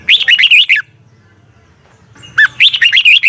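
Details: Red-whiskered bulbul in training song at dawn, giving the double twisting voice: bright, fluttering whistled phrases, with a low faint hum in the pause between the two bursts.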